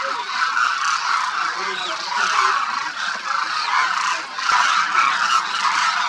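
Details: Thousands of demoiselle cranes (Anthropoides virgo) feeding in winter at Khichan Bird Sanctuary, Rajasthan, India, call at once: a dense, unbroken wall of overlapping honking, croaking notes that swells and fades over several seconds.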